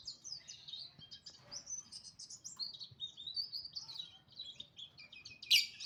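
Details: Oriental white-eye singing in the morning: a rapid, continuous stream of high, thin twittering notes that slide up and down, with a sharp louder chirp near the end and faint low background noise.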